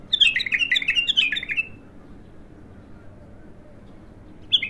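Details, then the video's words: ['First song of a raw bulbul: loud, rapid chattering phrase of slurred chirps lasting under two seconds. Silence follows, then a single sharp note.'] "تغريد الابتر خام اول فتحـه له"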